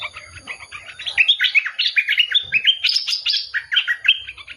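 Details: Bulbul song building from soft chatter into loud, cheerful whistled phrases of slurred notes repeated in quick bursts.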